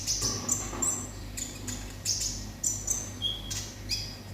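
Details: Olive-backed sunbird singing in the style called "konslet": short, thin, high chirps in quick bursts, repeated roughly every half second with brief gaps, over a steady low hum.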